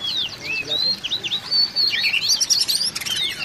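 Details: Oriental magpie-robin calling, a sound used to get mute magpie-robins singing: a busy run of high, sweet whistled slurs and sharp chipping notes, some rising and some falling, packed closely over a faint background hiss.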